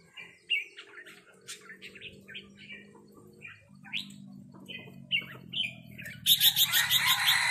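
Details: Red-whiskered bulbul answering a resident bird with rik calls: a run of short chattering chirps, each separate, ending in a burst of loud broadband noise, with a steady low hum beneath.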